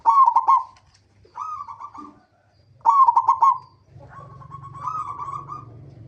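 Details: Local zebra dove song used as a lure to get other zebra doves singing. It is a rhythmic series of stuttering, trilled coos, with phrases repeated every second or two. A low hum enters toward the end.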